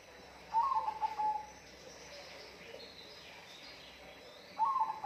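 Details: Bird calling twice, about four seconds apart. Each call is a short warbled whistle that dips and then holds a flat tone. Faint hiss fills the gap between calls.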